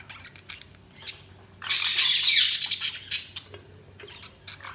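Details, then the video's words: Budgerigars chirping: a dense, busy chatter of high squeaky chirps and warbles, swelling into a loud scratchy burst in the middle, then breaking into scattered short chirps. "Budgies Chirping sound"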